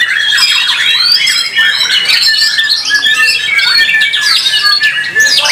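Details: Competition white-rumped shama singing with power and stamina: a nonstop stream of sharp whistles, downslurred notes and scratchy chatter, very loud and varied, phrases running into one another across the whole stretch.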